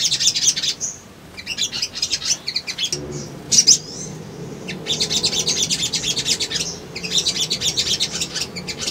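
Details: Brown-throated sunbird lure song: stretches of rapid high twittering and chips broken by brief pauses, one sharp bright note midway, continuing in dense high chatter to the end.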